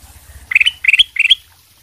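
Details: Actively singing kutilang emas sutra bulbul, used as a lure to get other birds to respond: three evenly spaced warbled phrases, each climbing to a bright high peak, with faint low rumble beneath.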